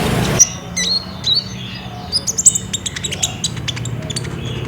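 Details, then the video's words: Phone-recorded olive-backed sunbird of the ninja kind in full voice, meant to coax a caged bird into song: thin high tweets and quick downslurred whistles, then a run of rapid sharp chips, over a low background hum. "PAKAI PANCINGAN KOLIBRI NINJA GACOR INI PASTI BUNYI"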